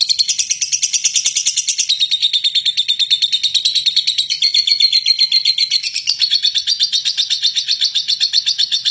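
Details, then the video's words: Long, rough ngekek from a lovebird, a call meant to spur other lovebirds to sing. Dense, rapid grating pulses pour out continuously at a high pitch, with a slight upward shift near the end. "Love Bird Ngeklek Panjang Kasar !!! Pemancing Love Bird"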